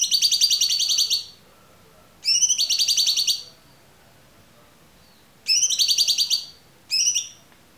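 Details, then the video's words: Cucak cungkok giving clear song, a tutor recording for songbirds. Dense buzzy trills of about one second repeat with a few seconds' pause between them, the last phrase shorter. "MASTERAN AMPUH CUCAK CUNGKOK suara jernih"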